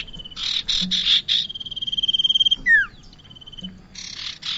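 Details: Bar-winged prinia sounds meant to attract birds for trapping: a few loud buzzy bursts, a long level whistled tone, then one sharp descending slur and renewed buzzing.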